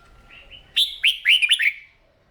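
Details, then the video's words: Red-whiskered bulbul practising its morning song: a soft lead-in warble followed by a loud, fast phrase of five clear, bouncing whistled notes. "Tiếng Chim Chào Mào Hót , Kích Chim yếu lửa ra giọng , luyện giọng chào mào mỗi sáng"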